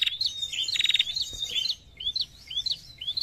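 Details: A very vocal female prinia in narung style: quick bright chirps and a buzzy rattling trill, then upslurred whistled notes repeated about every half second.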